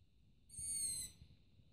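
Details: Long-eared owl chick on a roof at night calling for food, later fed by a parent. One high, rasping squeak about half a second long, slightly rising then falling, with faint low thumps in the background.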